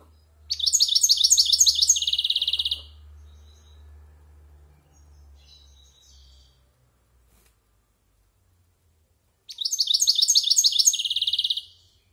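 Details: Adult goldfinch, over a year old, going over its varied silvestrismo song. Two phrases of rapid twittering with a buzzy trill ending are split by about seven seconds of near quiet with a faint low hum.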